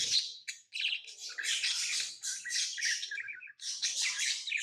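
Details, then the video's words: Lovebirds at home chirp in a dense, excited stream of high, buzzy twitters and squeaks, barely pausing across several seconds. "Love birds Sounds | lovebirds chirping sounds"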